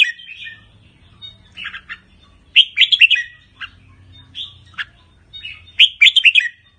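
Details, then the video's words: Red-whiskered bulbul of the Pala-U line, a farm bird, singing and giving rik calls: short cheerful warbled phrases of bubbling notes, delivered in bursts every couple of seconds with quiet gaps between. "นกกรงหัวจุกสายป่าละอู ทั้งร้อง ทั้งริก นกร้องเบิ้ลๆ ริกๆ"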